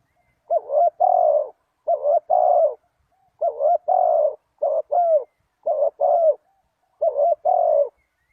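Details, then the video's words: Luring call of a spotted dove for trapping wild doves: regular low cooing phrases, each a fast doubled note then a longer coo, repeated roughly once a second over several seconds in clear, quiet conditions. "Chim cu gáy chiêu kích mồi tập bổi nhanh nổi hiệu quả"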